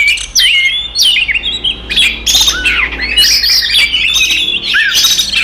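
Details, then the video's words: Aggressive fighting song of an Oriental magpie-robin, played to provoke rivals: varied whistles with rising and falling slurs, harsh squawky notes and quick chirps, after a brief quiet opening. "SUARA BURUNG kacer gacor TARUNG konslet paling AMPUH buat PANCINGAN KACER EMOSI"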